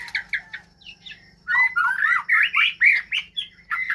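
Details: Captive white-rumped shamas being paired for breeding give a few squawky notes, then a fast, lively stream of varied whistles and chirps that rise and fall, with notes about five per second. A steady low hum sits underneath.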